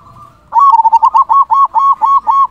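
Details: Local zebra dove, described as a loud-voiced, constant singer, giving a rapid, rolling series of stuttering coos. The notes are packed closely together at a steady mid pitch after a brief quiet start.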